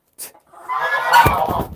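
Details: An unhappy, hand-raised domestic goose, picked up at a chicken coop and then put down, gives a harsh, drawn-out honking protest that rises and rasps for about a second, with scuffling and flapping noises underneath.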